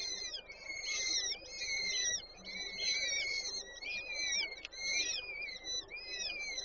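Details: Peregrine falcon chicks at a nest in Warsaw Żerań on 8 May 2023 while the female feeds them: high, whining harmonic cries in rapid overlapping bursts, rising and falling, repeated about once a second.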